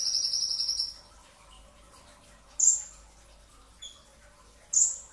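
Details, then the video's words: Brown-throated sunbird singing before dawn in a training recording: a high trilled phrase at the start, then isolated sharp whistled notes spaced about two seconds apart over a quiet background. "masteran pedas kicau konin dacok, kolibri ninja 2tak dada coklat full tembakan rapat di saat sahur"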